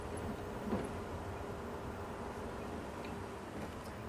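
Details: Steady low rumble like a vehicle engine or wind, with faint ticks and no clear animal voice.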